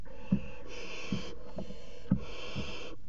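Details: Barn owls in a water tower nest box, 5 February 2018, a pair mating on the box edge; harsh, breathy hissing bursts about half a second long with short gaps, plus low knocks and thumps from movement inside the box.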